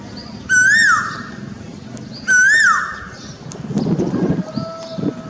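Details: Asian koel in a pilkan tree outside a Delhi home, giving two rising-then-falling whistled notes about two seconds apart, followed by low rumbling noise and a faint distant tone.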